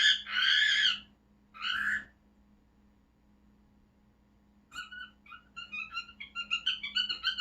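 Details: Caged pet cockatiel getting excited as it watches outdoor birds: two loud harsh screeches opening, silence, then a rapid series of short chirps building in pace and loudness; faint hum in the room.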